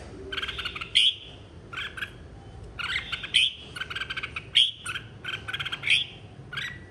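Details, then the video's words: Singing-contest red-whiskered bulbul from 2023, stimulated to sing and calling the flock: bursts of fast chattering notes with piercing whistled peaks, repeated irregularly. "Chào mào hót đấu 2023- Kích bổi hót - Gọi bầy"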